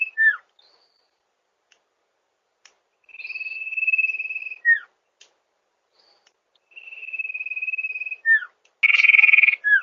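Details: Sirpu, also named sirdung, singing as a lure: steady long whistles ending in downslurred notes, with short falling notes between, and a harsh buzzy burst at the end.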